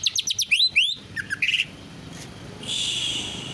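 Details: Caged greater green leafbird singing canary-style material: quick series of high rising whistled notes and upswept slurs, then a brief pause before a sustained buzzy trill near the end.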